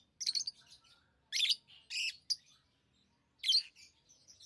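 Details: Lovebird chirping: a handful of loud, grating high chirps and squawky bursts separated by quiet gaps, with faint twittering trailing off at the end.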